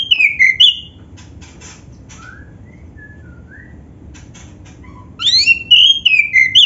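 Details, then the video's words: Black-breasted oriental magpie-robin song with mimicry, used to prompt other magpie-robins to sing: loud descending whistled phrases open and close the passage, separated by a quiet stretch of soft, scattered short notes. "LANGSUNG NYAMBER - SUARA KACER GACOR FULL ISIAN ‼️ Bikin Kacer Lain ON GACOR"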